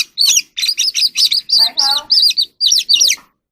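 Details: Evening song of a wild oriental magpie-robin, sung while it displays: a dense string of about a dozen bright, bouncing whistled notes with buzzy overtones, one harsher grating note in the middle.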